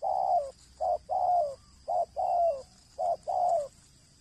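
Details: Breeding male spotted dove cooing: low, hollow notes in short groups, brief coos alternating with longer slurred falling coos, about seven notes in four seconds, over a faint steady high hiss.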